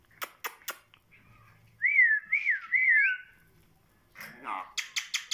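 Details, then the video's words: Talking myna whistling three wavy, looping notes that rise and fall, heard indoors, with sharp clicks before and after and a brief rough sound near the end. "Mayna talking kandari bird"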